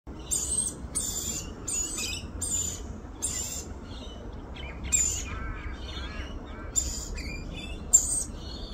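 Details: Australian rainbow lorikeet feeding her baby: harsh, buzzy screeching bursts, some with a thin whistled edge, repeated irregularly about seven times, with short softer chattering notes between them.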